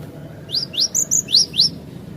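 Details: Lure song of a cinereous tit: six loud, crisp high notes in quick succession, each sweeping upward, over a soft low background rumble.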